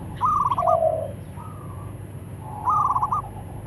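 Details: Male and female local zebra doves answering each other. A rippling trilled coo overlaps a lower, softer purring note, a faint hum follows, then a second rippling phrase answers.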